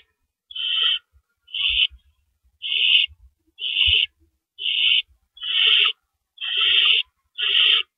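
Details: At an owl nest around 4:30 AM on April 4, 2012, adults come and go carrying rabbits; a run of eight rough, hissing screech bursts, about one each second, with occasional low bumps and scrapes.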